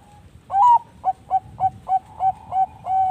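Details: Singing Bangkok-type zebra dove, whose song serves as a lure to get other birds singing. A strong upward-sliding opening coo leads into a quick run of six brief, evenly spaced coos and ends in a drawn-out level note.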